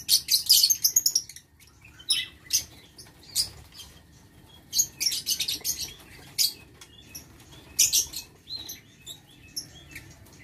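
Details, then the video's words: Aviary lovebirds on 6 November 2022 producing dense, piercing squeaks and harsh chirps, one rapid volley at the start, then repeated clusters of shrill calls every second or two. "Aviary Lovebird"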